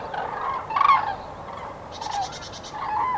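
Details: Several common cranes on spring (pre-breeding) migration in Nouvelle-Aquitaine, France, on 8 February 2017, give rolling, trumpeting calls overlapping in a loose chorus; a brief, rapid run of higher, rattling notes near the end.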